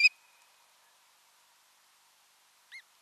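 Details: At a nest-camera site in Satakunta, Finland, on 6 June 2023, an osprey gives two short, high whistled notes, the first sharp and loud, the second a brief down-curved chirp nearly three seconds later; otherwise quiet.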